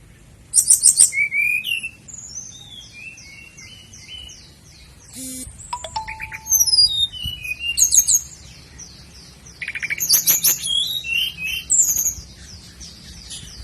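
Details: Sikatan londo flycatcher song intended for training caged birds: bursts of high chattering and slurred whistled notes separated by quieter stretches, over a steady low background hum with a faint tonal ping.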